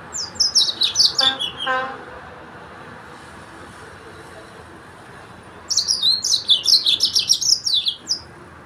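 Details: Yellow-fronted canary song: a quick high twitter with a short harsher burst, then nearly four seconds of quiet before another dense, fast run of shrill notes.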